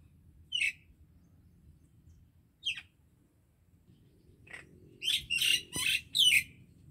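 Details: Common myna in a Pakistani Punjab village: isolated sharp chirps separated by long pauses, then a quick cluster of harsh, buzzy notes near the end, with a faint click.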